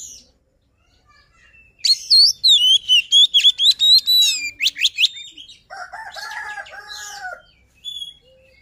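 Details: White-rumped shama luring song, a loud run of rapid whistles and sweeping phrases lasting several seconds, followed by a lower, harsher chattering phrase and a couple of brief notes.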